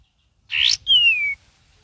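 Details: Cream-vented bulbul: a short harsh buzzy burst, then a long clear whistle sliding steadily downward, over faint low background noise.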